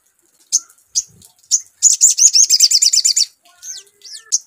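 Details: Crimson sunbird (sogon) lure sound: a few spaced sharp high chirps lead into a dense, quick run of upswept notes, followed by softer thin whistles and chips.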